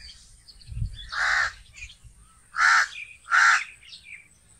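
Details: Crow producing three raspy, drawn-out caws, the last two close together, with soft twittering of other birds and a low thump at the start.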